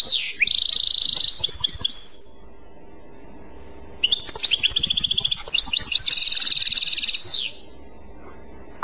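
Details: Clochette-style song of a European goldfinch: a brief phrase with a steady whistled note, a pause, then a long bubbling phrase of rapid trills and bright chirps lasting about three seconds.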